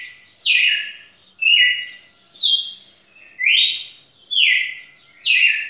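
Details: Record-breaking red-cowled cardinal, a champion, singing for more than two minutes; strong clear whistles in descending slurred phrases, about one per second, in a quiet setting.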